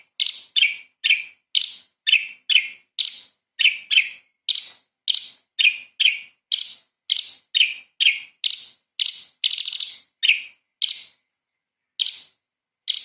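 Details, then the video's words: Training song of a light-vented bulbul, local name cucak cungkok, in the shot-like 'tembakan istimewa' style; a long run of over twenty clipped, buzzy high chirps at roughly two per second, pausing near the end. "CUCAK CUNGKOK SUPER GACOR ! Full Isian TEMBAKAN ISTIMEWA BURUNG KECIL"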